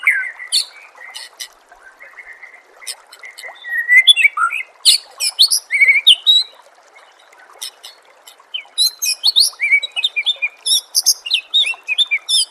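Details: White-rumped shama masteran audio: a long, varied sequence of rich whistles, sharp chips and rapid trills, with a lull midway before the bird resumes in dense, high, fast phrases.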